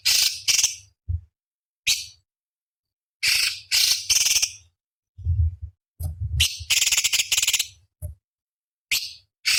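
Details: Cucak cungkok song used as a master recording for competition birds: loud scratchy high bursts, some paired and some in quick runs, irregularly spaced, over a faint low hum.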